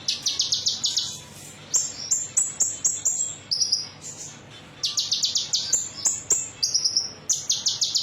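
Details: Konin metalik song played as a lure to make other birds sing: bursts of very high, rapid buzzy trills alternating with short sharp whistled notes, in phrases separated by brief pauses.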